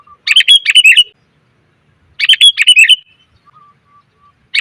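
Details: Female sooty-headed bulbul calling males, as a lure: two one-second bursts of bright, tumbling chirps, with soft low whistled notes from another bird in the gap.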